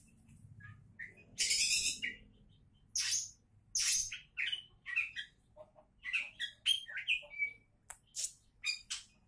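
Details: Oriental magpie-robin, presented as a champion candidate, opening with harsh buzzy bursts, then speeding into a rapid run of varied whistles, chips and short trills in quick succession over a faint low hum.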